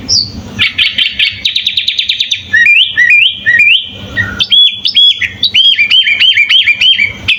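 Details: Sooty-headed bulbul singing a full fill-in song, recorded as a master for training birds: an opening rapid trill of repeated notes, then a string of bouncy, upslurred whistles repeated about twice a second.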